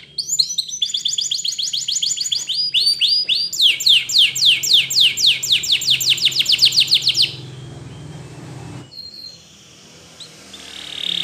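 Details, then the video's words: Spanish Timbrado canary singing a training song: a long, accelerating series of sharp descending sweeps, roughly four per second, running for about seven seconds, followed by quiet with a faint hum and a few distant notes. "Your Canary Will Not Stop Singing With This Training Song"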